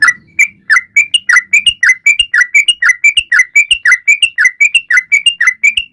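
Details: Energetic sooty-headed bulbul singing non-stop to coax other birds into song: an unbroken chain of brisk, clipped whistled notes wavering up and down, with soft low thumps in the background.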